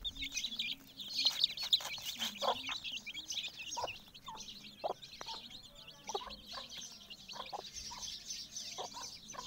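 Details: A hen clucks among her chicks, short low clucks coming in uneven bursts at about two a second, over a constant high twittering of chick peeps, with a soft low hum underneath.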